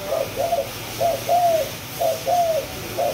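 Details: Two-month-old spotted dove of Malaysian strain in the 'chiêu di chuyển' cooing style: soft, low coos in groups of two or three, each with a longer drawn-out note, repeated about once a second, with room hiss.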